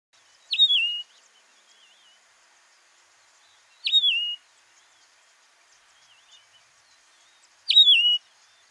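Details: Yellow-throated longclaw (Macronyx croceus) calling in the Masai Mara, Kenya: three loud, clear whistled notes, each dropping sharply then levelling, about three and a half seconds apart, faint bird chatter between.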